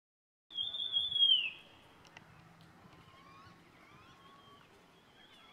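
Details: In Landour in the Indian Himalaya during the monsoon, after a rain shower, one of a flock of four White-throated laughingthrushes gives a loud, high whistled note sliding downward for about a second, with faint other birds behind.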